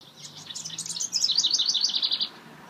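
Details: A male house wren starting a nest in a nest box on June 15, 2013 gives a bubbly, rapid burst of high chattering notes, about two seconds long, over a faint low hum.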